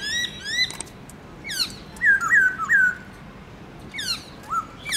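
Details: Varied morning song of a caged black-throated laughingthrush in the 'forest voice' style. Quick rising notes and downslurs lead to three loud looping whistles, then sharp descending slurs and a short rising whistle.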